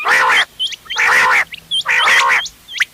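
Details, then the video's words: A mix of quail calls used for hunting, recorded 31 October 2025, with harsh, buzzy, rasping bursts about once a second, three in a row, and thin high chirps slipped between them. "گھونگے وال دوغلا چنگا بٹیروں کی مکس آواز quail bird sounds for hunting bater ki awaaz"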